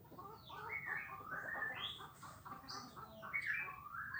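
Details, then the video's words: Morning flock of hundreds of swiftlets hunting emerging winged termites: dense overlapping chirps and short rising and falling twitters run continuously over a low background murmur. "Ratusan Burung Sriti di pagi hari"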